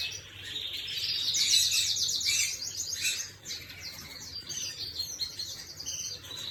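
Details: Canary song from 11/5/25: quick, bright rolls of repeated notes in a continuous chattering stream, with brief pauses and softer twitters toward the end.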